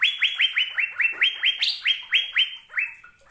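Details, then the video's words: Asian fairy-bluebird singing a steady run of about a dozen bright, upswept whistled notes, each rising sharply then levelling off, roughly four per second, with a few higher-pitched notes near the middle. "Burung Cucak Biru"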